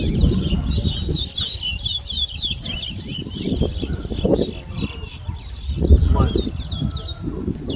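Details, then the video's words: A towa towa seedfinch whistles at a Berbice bird ground contest in Guyana, 2022, delivering fast, choppy high notes in bursts, accompanied by people talking and low background rumble. "TOWA TOWA BIRD WHISTLING COMPETITION IN BERBICE"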